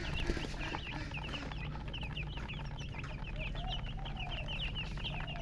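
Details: Several baby chickens peeping in short, bright descending notes, rapid and continuous, over a steady low-pitched background drone.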